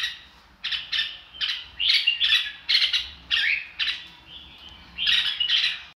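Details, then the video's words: Red-whiskered bulbul giving "ro kích" song to draw newly caught birds into singing: evenly spaced, loud scratchy bursts about twice a second, with one softer whistled note among them. "chào mào ro kích bổi sung theo."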